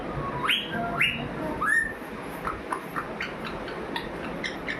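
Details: Pet parrot whistling: three quick rising whistles in the first two seconds, then softer scattered chirps over steady background hiss.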